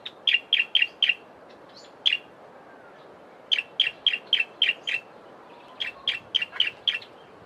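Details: A Bar-throated Apalis in an Eastern Cape, South Africa garden gives quick bursts of four to six sharp, bright, high chipping notes, with a single note between bursts, against a quiet background.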